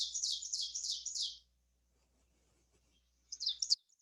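An Ovenbird sings a rapid run of about four ringing two-note 'teacher' phrases, swelling in volume, then a brief fragment after a pause.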